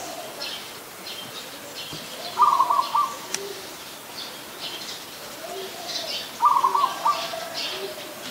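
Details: Zebra dove, an adult, at Ubon Ratchathani in Thailand on 24 December 2020: two quick staccato cooing trills about four seconds apart, each under a second, with high twittering of other birds behind.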